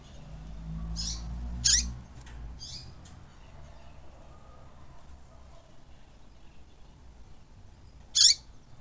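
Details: Caged double-collared seedeater in tui-tui song, meant to rouse another caged bird into singing: a burst of four quick, harsh, high buzzy notes, then a long pause and one last loud note, over a low hum.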